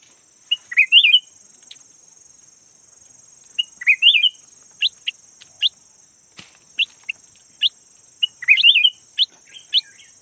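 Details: Decoy red-whiskered bulbul of the yellow kind sings brief bubbling warbles three times, separated by scattered sharp single chirps, with a constant thin high tone running throughout.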